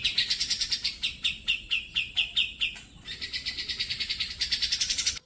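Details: Black-crested bulbul song for training pet birds, made of rapid repeated chirping notes, first falling slightly in pitch, then a brief pause and a long even run of bright, closely spaced notes.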